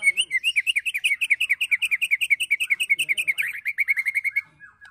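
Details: White-rumped shama giving its rattling 'ketrekan', used as training material to provoke birds. About thirty quick, sharp, chattering notes run together at an even pace for over four seconds, then break off into a few softer notes.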